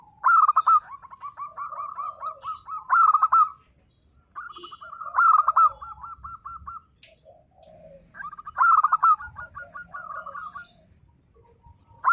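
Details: Local zebra doves in full voice, singing a style meant to make silent birds reply. Long rolling strings of quick coo notes build into loud, stuttering bursts, several times over, with other doves answering more quietly.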